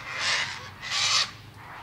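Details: Cockatoo giving two harsh, broadband screeches, each about a third of a second long, the second louder and more drawn out, with a quiet gap between them.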